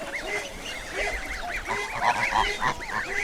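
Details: A flock of Canada geese in Great Britain honks in a busy chorus: nasal, two-note honks rising then falling, overlapping several times a second over a low rumble.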